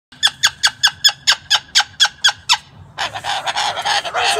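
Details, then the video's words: Pet Moluccan cockatoo laughing and talking at children passing the house, wanting them to say hi: a mimicked laugh of about eleven harsh 'ha' notes, four per second, then a louder, rougher screeching burst. "cockatoo laughing at kids outside"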